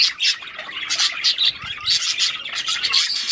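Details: Loud, dense budgerigar warble sung to encourage the female to mate, a nonstop stream of scratchy chirps, clicks and squeaky notes tumbling rapidly over one another.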